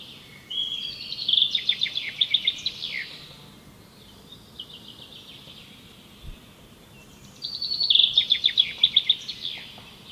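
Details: Woodpecker, called a beautiful bird of the local area. It gives two bursts of quick, sharp, high repeated notes about six seconds apart, with a fainter run of notes between them against steady outdoor background noise.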